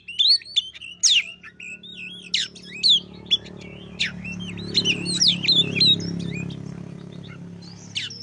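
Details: Oriental magpie-robin song used as a lure to get a reluctant bird singing: varied, quick whistled phrases with sharp rising and falling notes and short chirps, over a steady low hum.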